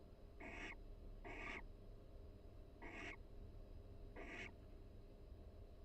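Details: Barn owl pair calling softly inside their nest box at the University of Florida while grooming each other, a pair-bonding exchange; four short hoarse, hissing chirrups, two close together, then two more about a second apart, over faint low hum.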